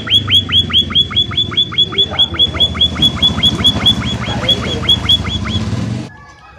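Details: Munia calling energetically as a lure to make other munias start answering. Loud, high, down-slurred chirps run in a steady series for six seconds, then stop abruptly, leaving quiet background hum.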